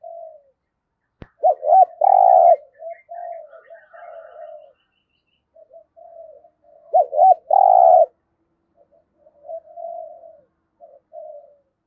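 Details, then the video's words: A decoy spotted dove used in trapping coos twice: each phrase two quick looped notes and a long full coo, with soft trailing coos, faint chirps and a sharp click near the start. "Chim Cu Mồi Gáy Giọng Cũng Hay Dùng Kích Bổi Cũng Hiệu Quả"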